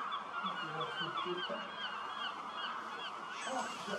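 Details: Common starlings by the thousands gathering in a reed field roost beside the Starrevaart birding lake at sunset, about 20,000 in all. Thick, noisy chattering with bright, looping whistles. Short low honking notes are heard throughout.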